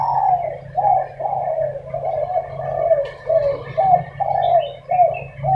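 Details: Morning argument among spotted doves, a rhythmic series of rounded cooing notes, each dipping in pitch and repeated nearly twice a second, over a low continuous hum.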